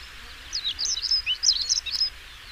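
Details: European stonechat song: a quick run of thin, scratchy, high chirps and twittering notes, delivered in a rapid burst against a quiet background with a low steady rumble.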